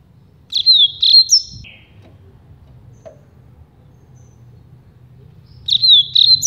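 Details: Rusty-collared seedeater (coleiro) singing the campainha song, also called carretilha or flauteado, used to train young birds; two bursts of high whistled, bell-like notes with a falling slur, separated by about four seconds of quiet.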